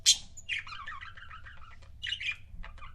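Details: Budgie couples kept as pets: a sharp opening squeak, then a rolling, bubbling warble of quick notes, followed by another chirpy burst and a few short notes.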